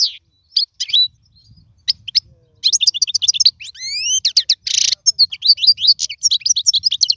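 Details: European goldfinch song chosen for teaching fledglings to sing: a few isolated chirps, then dense rapid twittering with rising slurred whistles and one harsh buzzy note, continuing as lively chattering trills.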